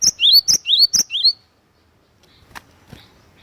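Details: Great tit (glatik watu) gives three quick two-note phrases, a high whistle then a lower upslurred note, before falling silent apart from a faint click.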